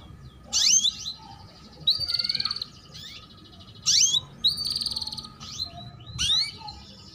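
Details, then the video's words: Female canary chirping, used to stimulate young birds to sing and raise breeding drive: sharp rising chirps and short buzzy trills in spaced bursts, over a low steady hum. "Pancingan Kenari BETINA Cuit Cuit || Masteran Kenari PAUD Agar Cepat Bunyi Dan Menaikan Birahi"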